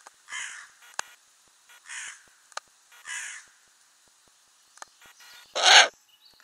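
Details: Ural owl nest box with owlets, May 2020: evenly spaced rasping hisses, then one louder, harsher screech at the end, with scattered clicks between them.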